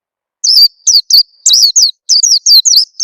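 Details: After a brief silence, an Oriental white-eye gives rapid, bright, downward-sweeping chirps one after another, a lure call meant to make other birds start singing.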